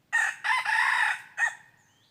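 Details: Crow of a red junglefowl from a decoy-luring session dated 23 January 2022. A brief rasping note, a long strained middle syllable and a short closing note come in quick succession against a quiet background.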